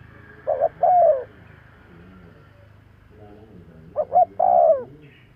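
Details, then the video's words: Spotted dove cooing to attract other birds: two phrases, each two brief coos then one sustained downward-sliding coo, with a soft background hum. "Tiếng chim cu gáy kèm kích bổi nhanh nổi - Suara yang menarik suara Tekukur Enak Didengar Buat Pikat"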